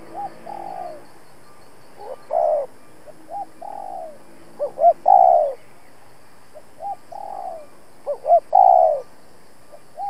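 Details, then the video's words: Caged spotted dove decoy cooing insistently to provoke rival males; soft single coos build into phrases of two or three short rising notes and a longer falling coo, repeated several times. "Cu Gáy Mồi Cây thúc gù đấu bổi cực sung"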